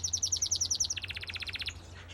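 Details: Yellow canary in an outdoor mixed aviary of finches and softbills, singing a rapid rolled tour of identical high chirps, then switching to a faster, lower trill of repeated notes, with a steady low hum behind.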